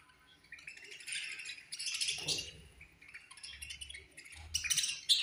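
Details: Colony of budgies chirping during food time, a continuous high chattering twitter rising and falling in loudness, with a few sharp clinks and low thumps in the background.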